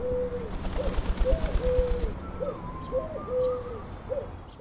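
Soft, low cooing notes from a pigeon, each brief and slightly rising then falling, come in quick runs. A thinner, wavering whistle sounds above them.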